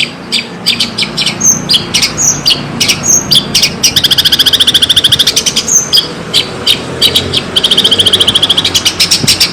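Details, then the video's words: Javanese long-tailed shrike singing a full, lively fill-in song: dense, rapid chips and clicking notes, broken by two long, fast buzzy trills. Background hiss throughout. "Kicauan terbaik cendet Jawa gacor full isian jernih"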